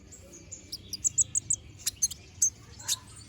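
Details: Young olive-backed sunbird regrowing its feathers and singing busily: a series of short, thin, very high whistled notes in a quick row, then several sharp chirps, over a low steady hum.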